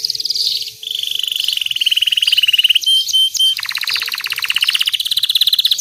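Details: A white Belgian canary singing a loud, continuous song of rapid high trills, shifting between steady rolling passages and brighter, faster buzzy trills, with a few sharp chirps mixed in.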